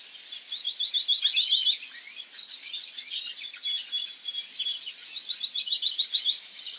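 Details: A European goldfinch gives a long, rambling song of tinkling chirps, twittered phrases and quick rattling trills. It swells and eases over nearly seven seconds and ends in a brighter burst. No other sounds stand out.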